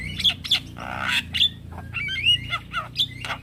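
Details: Male Javan myna call used as a lure to get other mynas and starlings to answer. Quick bursts of harsh squawks mixed with clear whistled notes, uneven and varied, over a faint low hum.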